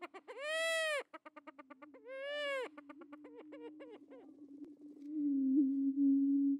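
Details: Attwater's prairie chickens, an endangered grouse kept at a breeding facility, booming in courtship display for females; two loud, harsh, drawn-out cackles with quick stuttering clucks, then a sustained low hum of booming.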